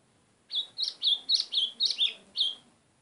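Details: White-throated seedeater calling insistently: a run of eight sharp, clipped whistled notes, each dropping slightly in pitch, delivered at an uneven quick pace over two seconds against a quiet background.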